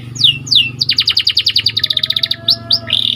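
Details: White canary in a training recording, opening with two falling whistles, then a rapid even trill of pulsed notes, ending in brief rising whistles and a buzzy phrase.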